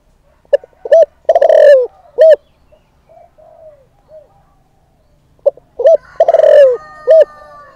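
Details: Caged decoy spotted dove giving its lure call to draw and provoke males. Two cooing bursts of quick stacked notes and a long falling coo, separated by softer, quieter coos in the gap.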